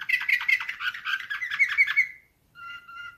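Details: Nightingale-style singing from a Slavujar canary: a dense, loud rattling trill of fast repeated notes lasting two seconds, a short silence, then soft, steady whistled tones.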